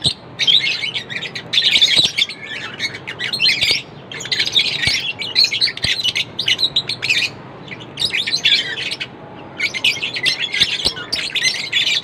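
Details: Several lovebirds chirp and chatter continuously, shrill high squeaky notes in long busy bursts separated by short gaps of near quiet, with occasional soft knocks in the background.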